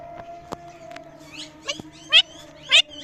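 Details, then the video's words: Parrot making different noises: a series of short squawks sweeping steeply up and down, louder toward the end with two strong harsh calls near the close, over a steady low electrical hum. "Parrot Making Different Noises"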